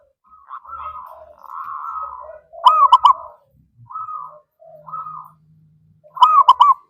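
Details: Kept zebra dove singing, used as a lure to prompt other birds: soft, breathy coos broken by a loud burst of three quick rolling notes, repeated twice, with quieter humming phrases between.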